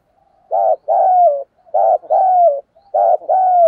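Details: Decoy spotted dove with a loud, clear voice singing its full song to lure wild doves: three deep cooing phrases, each a short burst followed by a longer, slightly falling coo, repeated about every 1.2 seconds. Background is quiet.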